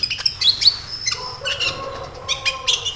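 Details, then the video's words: Sunbird, the kolibri ninja, singing to draw a response from other birds: sharp, high chirps and squeaks, then a sustained, wavering lower whistle under scattered bright twitters. "SEMUA Burung KOLIBRI CUEK LANGSUNG RESPON DAN GACOR Dengan PANCINGAN INI!KOLIBRI NINJA GACOR"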